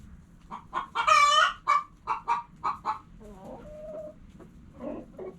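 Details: A hen gives a loud drawn-out squawk, then a string of evenly spaced throaty clucks, fading into softer murmuring notes and a brief whine.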